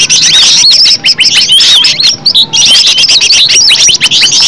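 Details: Green leafbird singing in its natural voice, a lure recording: rapid, high-pitched whistles bending up and down, mixed with sharp chirps, in a continuous energetic stream broken by one brief pause midway.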